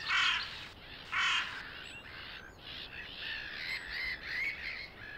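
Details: Canada goose, a rare vagrant, on a pond in Belarus in March, in spring: two loud, harsh, harmonic honks about a second apart, then a run of softer overlapping honks from the flock.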